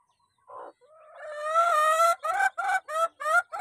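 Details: Chickens gathered at feeding: one short note, then a long drawn, rising harmonic call of over a second, followed by four quick, loud, repeated notes in a steady rhythm.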